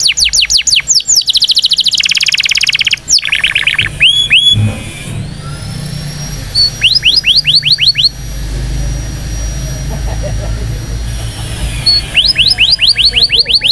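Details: Indonesian canary training song for young canaries: bursts of fast trills and rapid downward-sliding whistles, interrupted by a long steady high whine, then more quick trilled phrases.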